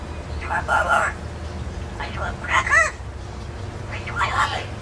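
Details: Pet parrot from an indoor aviary where the birds fly free, briefly caged when brought out, talking: three separate speech-like bursts about a second apart with wavering, bending harmonic tones, over a low steady room hum.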